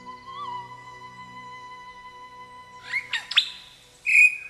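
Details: Superb lyrebird of Australia, whose song is among the most complex of any bird, with elements added over time and copied from anything it hears: after a steady held tone, sharp whistled sweeps and rising notes, then a loud high whistle.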